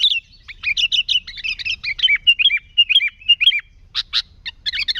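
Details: Energetic sooty-headed bulbul song for luring other bulbuls: quick chirpy notes leading into a series of rolling, slurred whistles, then a few loud separate chips and a final warbled phrase.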